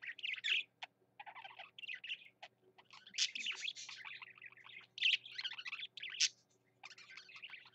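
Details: Singing male parakeet (budgerigar) delivering phrases of rapid chatter, squeaky chirps and buzzy notes, pausing briefly between bursts.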